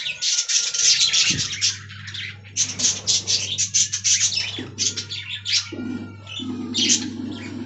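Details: Budgerigars in an aviary colony: dense bursts of chirpy, warbling chatter with short squawks, a steady low hum beneath, and a faint thin whistle line running through.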